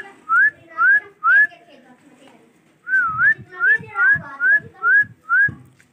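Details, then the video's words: Male ringneck parrot whistles a short rising note nine times: three quick repeats, a pause, then six more about every half second, with soft thumps underneath. "Different Talking/ Amazing voice ringneck male parrot"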